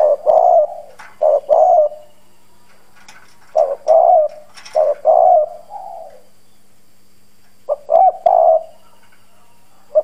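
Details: Hoarse-voiced decoy spotted dove cooing to draw in wild doves. Several low, throaty phrases of clipped notes and longer coos are separated by short pauses, with a longer silence before a final phrase.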